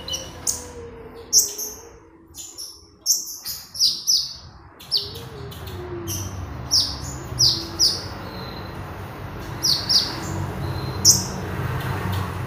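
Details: Magpie robin in lively song, used as a master and lure sound for training birds: bright high whistled notes repeated every second or so over a steady low hum.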